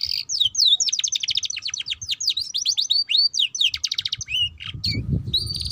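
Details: Young canary in its early singing stage delivering a fast, varied twitter of rising whistled sweeps and rolling trills, continuous and bright, with a brief low rumble near the end.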